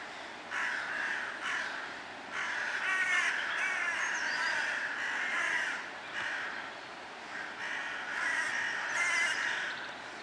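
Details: Several crows cawing in rapid, overlapping harsh bursts, rough grating calls crowding the whole stretch, with faint higher bird notes and outdoor background hiss.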